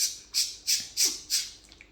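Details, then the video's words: A pet talking African grey parrot makes five short, harsh, hissing bursts, about three per second, fading toward the end in a quiet room. "Malayalam talking parrot"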